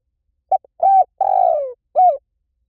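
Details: Spotted dove call in the lio tan style, played as a lure so a trained bird answers back: a short note, a longer coo, a drawn-out falling coo, then a final clipped coo, loud and clean.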